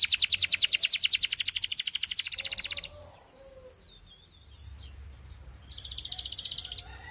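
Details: Belgian canary in song, meant to prompt other canaries to sing: a loud, very rapid pulsing trill for nearly three seconds, a pause with soft twisting whistles, then a high buzzy roll.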